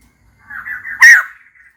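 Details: Female white-crested laughingthrush calling to find a mate, a single harsh burst: a grating wavering chatter building into a loud, raspy squawk, then fading quickly.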